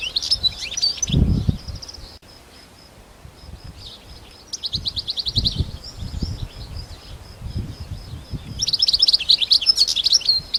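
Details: Goldfinch singing in the wild, with high twittering bursts at the start and end and a buzzy, evenly pulsed trill in the middle. Low thuds and rustling are heard throughout.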